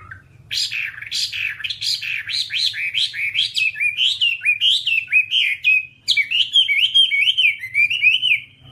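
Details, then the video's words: Whambie song from an hour-long tutor recording: a long, fast stream of bright whistled notes sliding up and down, a brief break, then smoother wavering whistles, loud and close. "Masteran Whambie nonstop 1 jam"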